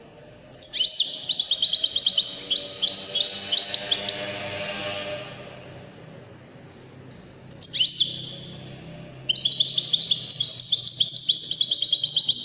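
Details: Goldfinch of the Wedani type from Morocco in full song: long runs of rapid, tinkling high twitters and trills in several phrases separated by short pauses, with a faint low hum underneath.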